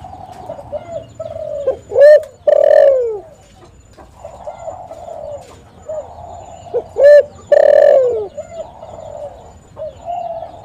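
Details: Spotted dove call phrase repeated twice, used to draw other doves: a short clipped note followed by a long, loud coo that bends downward, with quieter doves cooing steadily between phrases.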